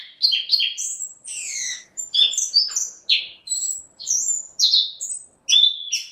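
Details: Continuous, rich song of a caged orange-headed thrush: loud whistled and slurred notes jumping between high and mid pitch, delivered in quick varied phrases with brief gaps.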